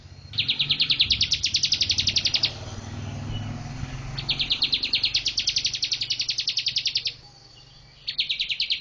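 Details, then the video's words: Bar-winged prinia singing as a master bird, three long rattling series of quick high notes, about eight per second, separated by pauses, over low background hum. "MASTER BIRD CHIRPING BAR-WINGED PRINIA SINGING"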